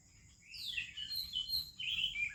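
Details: Oriental magpie-robin singing in the morning, India: a long descending whistle followed by a string of sweet, wavering high notes, quiet background.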